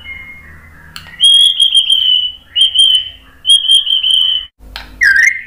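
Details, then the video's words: White-rumped shama song used to provoke other birds into singing: a thin whistle, then long, loud, steady high whistled notes in three drawn-out phrases, ending in a sharp rising flourish. "Kicauan MURAI BATU bikin NYAUT ikut BUNYI GACOR BONGKAR MATERI ¦ PANCINGAN MURAI"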